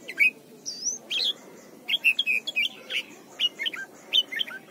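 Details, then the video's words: A red-whiskered bulbul from Thailand sings a training song for young birds: a busy run of varied short whistles and warbled notes, some sliding upward, in quick bursts of two or three with brief gaps. "นกปรอดหัวจุก Thailand Bird: เสียงดีมาก (สอนลูกไก่) เต็ม - ฝึกร้องเพลงร้องเพลงยอดหรือเสียงบิด"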